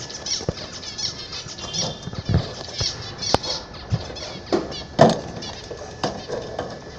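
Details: Several home-kept zebra finches singing buzzy, nasal chirp clusters while soft thuds and wing flutters punctuate the background.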